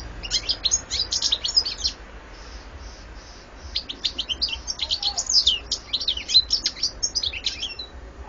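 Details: Lively goldfinch song: a long chattering run of quick, high, twittering notes, a brief soft pause with faint repeated tones, then another extended burst of fast tinkling phrases.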